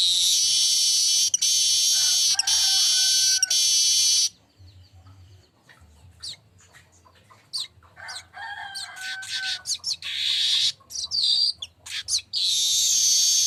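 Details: Streaked weaver, called manyar kembang, singing in a loud ngecall style used as a training recording: dense high buzzy rattling bursts, a few clear whistled notes near the middle, then harsh sustained buzzing trills at the end.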